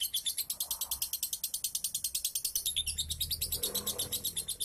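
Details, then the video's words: Lovebird song played to coax a lazy lovebird into ngunci singing: a continuous, fast, rattling chatter of shrill high notes, pulsing steadily at more than three notes per second throughout. "PANCINGAN LOVEBIRD MALAS NGUNCI"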